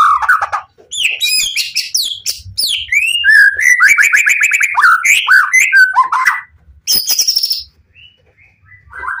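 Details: White-rumped shama in intense full song to goad other shamas into answering: dense rapid stream of rich whistles, trills and sharp chattered notes, followed by a harsh burst and softer whistles.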